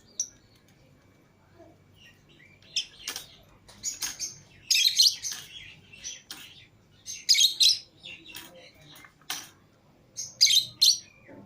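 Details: Lovebirds out of their cage alongside other lovebirds, a green Fischer's pair and a lutino pair among them. Rapid high chirps and shrill chatter come in uneven clusters, with louder bursts every two to three seconds.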